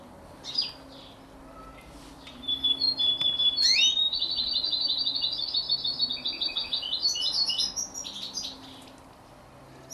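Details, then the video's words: Canary x European goldfinch hybrid, 33 days old, begins with a few scattered chirps and a thin level whistle, then breaks into a long, fast, high twittering warble lasting about five seconds. "canari x chardonneret a 33 jours"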